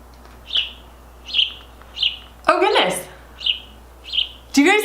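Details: A house sparrow, one of a male-female pair that regularly visits a home, gives six short, bright chirps roughly a second apart, while a person talks excitedly over them midway and at the end.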